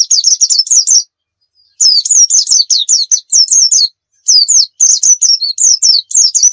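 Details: Pacitan pleci dakun, a white-eye, delivering a 'nembak' song packed with fill notes: dense streams of high, twittering slurred notes in several bursts with short breaks between them.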